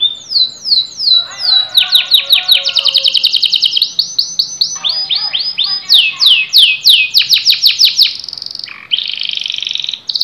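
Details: Canary singing a lively, varied song in quick tours: rapid repeated high sweeping notes and fast trills that switch pattern every second or two, with lower buzzy rolls underneath in places, ending in a dense ringing trill.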